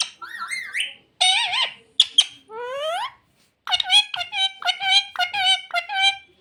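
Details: Pet parrot known for saying "mummy papa", indoors, giving a string of high, wavering voice-like calls, some rising in steps, then a fast run of short, clipped syllables after a brief pause.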